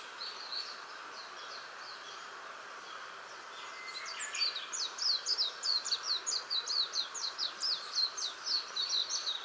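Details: Japanese white-eye starting to sing after sunset from a tree close to a house; soft scattered high chirps at first, then a loud, fast, excited warble of thin descending notes running several seconds.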